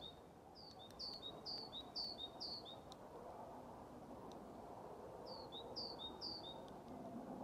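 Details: Great tit singing vigorously on 21 February 2023 at Lindgården retirement home in Haga, with a blue tit joining in now and then; clear two-note see-saw phrases, five in a row, a pause, then three more, over a soft background rumble.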